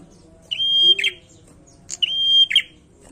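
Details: Bar-winged prinia singing actively: two phrases, each a high sharp tick, then a long steady whistled note ending in a harsh buzzy burst, about a second and a half apart. Quiet background hum.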